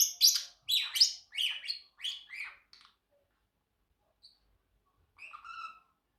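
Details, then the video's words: Pet Pacific parrotlet chirping: a fast run of about eight bright, scratchy chirps, roughly one every third of a second, then a pause and a short whistled phrase with clear rising tones. "Parrotlet Bird Making 10+ Sounds - singing, talking and whistling"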